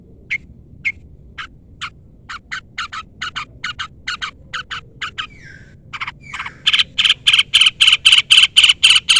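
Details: Long-tailed shrike challenging a rival, used to make shrikes respond: high chips speeding into a fast steady series, a brief squeaky slur, then loud rasping notes rapidly repeated.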